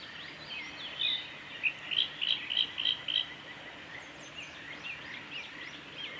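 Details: Male blue-and-white flycatcher singing on the Kanazawa forest road at Lake Miyagase on 7 May 2020: a run of bright, clear whistled notes, several quick repeated elements in the middle, then fainter warbled notes trailing off over a steady background hiss.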